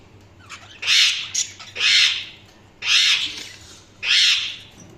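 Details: Budgerigar calling with four loud, raspy, high chirps spaced roughly a second apart, each a short harsh burst, with faint twitters between.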